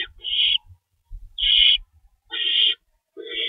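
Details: Owls at the nest at feeding time, 3:53 am on March 25 2012, with two rabbits stored and one adult shredding food for the young; four harsh, hissing screeches, each about half a second, with faint low thumps between.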